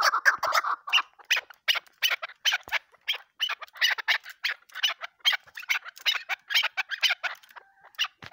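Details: Female desi cross chukar partridge kept as a hunting decoy gives harsh, squeaky chattering bursts in quick irregular succession, loudest at the start, with brief gaps between groups of notes.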